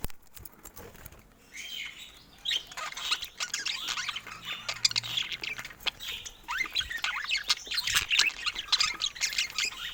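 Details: After a near-quiet first second and a half, a group of budgies at play starts a busy high-pitched warble of chirps and squeaky notes that grows denser toward the end.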